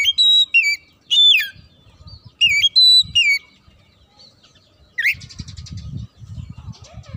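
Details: Oriental magpie-robin in lively song, performed to anger rival males: loud whistled phrases with sharp descending slurs repeat in quick bursts, then a rising note leads into softer chatter over low background rumble.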